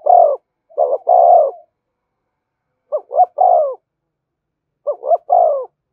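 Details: Spotted dove's urging coo for stirring decoy birds and training lures: three phrases, the later ones two quick hoots then a longer downslurred coo, separated by pauses of about two seconds.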